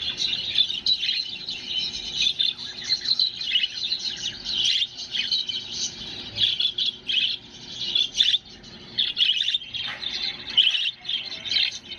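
Budgerigars chatter and warble in a continuous stream of high, scratchy chirps and whistles.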